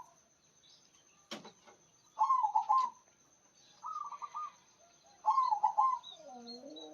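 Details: Zebra dove of local stock singing loudly, with three bubbling, trilled coo phrases in quick succession about every one and a half seconds. A sharp click and faint distant chirping are also heard.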